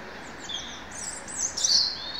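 High, thin bird chirps and twittering phrases above a soft background hiss, growing louder toward the end.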